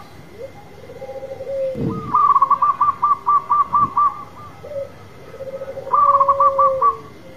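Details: Zebra dove of a local type, a strong loud singer, giving a short rising coo, then a rapid burst of about eight bright clipped notes. A softer drawn-out lower coo follows before another quick burst of clipped notes.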